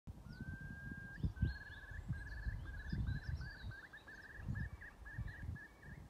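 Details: On 17 April 2021 in Mingen, Njurunda, in a spring duet, a Eurasian curlew gives a long rising whistle, then a quickening run of liquid bubbling notes, with thin high European robin song and a low rumble of wind or traffic underneath.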